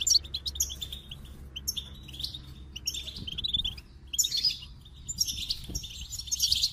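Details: Goldfinch song in bursts of high, rapid twittering notes with short gaps between phrases, the thin tinkling elements stacked high; a low steady hum runs underneath.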